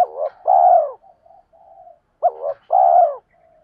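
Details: Decoy spotted dove, male or female, calling to draw wild doves: two low phrases, each a short hooked note and then a drawn-out coo, linked by faint murmuring notes.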